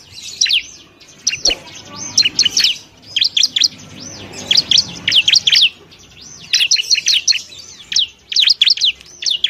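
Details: At a bar-winged prinia nest found in the wild, a bird gives high, squeaky chatters: bursts of quick rising-and-falling notes, repeated in phrases with brief pauses between them.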